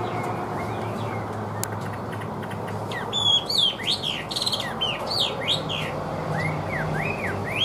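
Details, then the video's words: Caged Chinese hwamei, said to sing well with an even voice. After a quiet start, a lively run of loud whistled notes rises and falls in quick arches, several per second, over constant background hiss. "HÓT TỐT RA GIỌNG ĐỀU"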